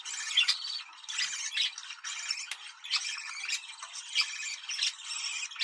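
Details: Budgerigar mating call played to stimulate breeding: dense, rapid scratchy warbling and chirping in quick bursts, with short pauses about every second and sharp clicks mixed in.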